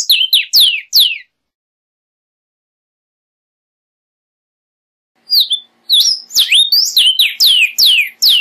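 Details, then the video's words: Vermilion cardinal (Cardinalis phoenicius) song: rapid, clear whistled notes that slur downward in a short burst, then a four-second pause and a longer run of bright repeated phrases. "Cardenal Guajiro Canto"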